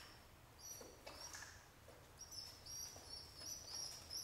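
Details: Young pet pigeon babies begging while their single father feeds them; faint scattered squeaks give way to a quick run of high, thin, piping whistles in the second half, with soft rustling.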